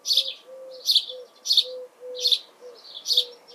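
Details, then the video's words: House sparrow recorded in June 2020 gives a steady series of loud, harsh chirps about every half second, over a faint, low, steady hum in the background. "Házi veréb // House sparrow"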